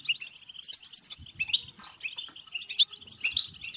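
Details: European goldfinch twittering song, played to stimulate goldfinches to sing and mate: rapid chattering notes mixed with bright, high whistled pure tones in quick bursts, with faint low thumps.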